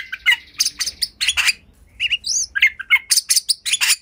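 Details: Lure song of a white-rumped shama used to get other shamas singing: quick bursts of bright chirps and whistled notes, with a short rising whistled slur midway, in close, dry-sounding phrases.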